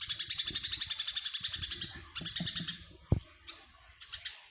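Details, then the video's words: A tame, very vocal Eurasian tree sparrow, said to sing day and night, gives a quick run of about fourteen sharp, high chirps in two seconds, then a few looser chirps with short pauses. "Burung greja jinak dan gacor"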